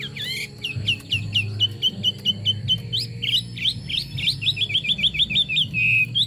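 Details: Singing Chinese hwamei pours out a long varied sequence of rapid whistled notes: upward flicks, repeated quick chips and trilled runs, closing on a held whistle. Faint low hum beneath.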